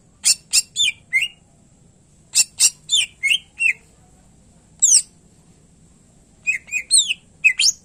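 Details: Greater green leafbird, known as cucak ijo, sings clusters of sharp clicks and downslurred whistles in three separate bursts with short silences, a soft low hum underneath.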